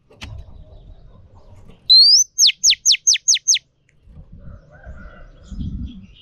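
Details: Female Oriental magpie-robin, used in training to stimulate males. A single phrase: one rising whistle, then six evenly spaced downward sweeps. Low-pitched background noise comes before and after.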